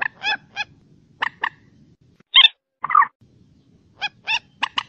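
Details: Common moorhen calls, offered as an original recording for use as a hunting lure. Loud, harsh, harmonic clucks and croaks arrive singly and in short bursts, with gaps between them, over a faint low rumble.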